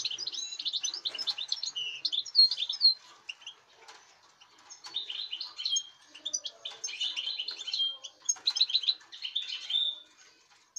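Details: European goldfinch of this season's breeding, 05.08.2019, pours out rapid jangling twitters and trills in long phrases with short pauses, plus occasional light rustling.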